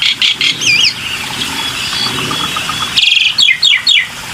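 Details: Black-winged myna in a lure recording: wavering warbled whistles and a faint chattering run, then a buzzy burst and a quick series of descending chirps, with some background hiss.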